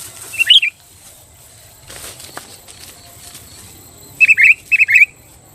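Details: Active sooty-headed bulbul song used to rile rival bulbuls and set them singing: one quick liquid phrase, a long pause, then two more rapid bubbly three-note phrases close together near the end.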